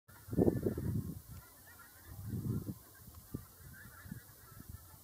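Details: Greylag geese giving low, nasal honks in two short gabbling bursts, followed by a few single honks over a steady background hiss.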